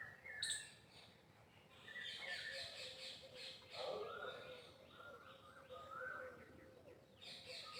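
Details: Peacock shown dancing, giving harsh, nasal, harmonic calls: a sharp squawk near the start, then drawn-out wavering wails from about four to seven seconds, with fainter chirps and low background rumble throughout.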